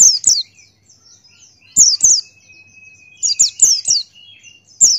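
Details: Pleci Buxtoni white-eye singing with an open beak: piercing, high, downward-slurred chirps grouped in twos and fours, separated by short pauses and a faint sustained whistle.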